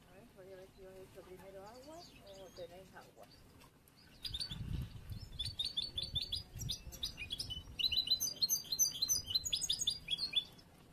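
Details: A young yellow bruno European goldfinch, hatched this year and still being trained for competitions, sings a fast, liquid twitter of high tinkling notes and buzzy trills, still unpolished. Low voice-like sounds come first, with soft thumps underneath.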